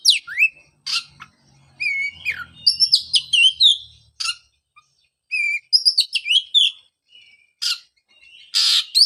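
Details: Oriental magpie-robin song to coax singing from a bird after moulting: falling whistled slurs, repeated high trilled notes and occasional harsh bursts, with a faint low mechanical hum early on.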